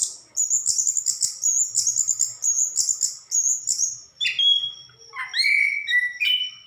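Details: Orange-headed thrush in full song, opening with a string of high, thin repeated notes, then shifting to lower, slurred whistles and chirps.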